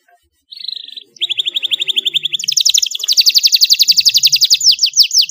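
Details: Young canary learning its song from a played model song with an elaborate style, answering and rolling: a short high trill, then a long steady rapid trill that shifts into a higher, faster rolling series of sharp repeated notes.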